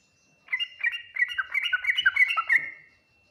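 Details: Full 'ngriwik nguplik tuklik-tuklik' song of a yellow-vented bulbul, a type said to be answered fastest by other bulbuls: one continuous, rapid, gurgling phrase of quick warbled notes for about two and a half seconds.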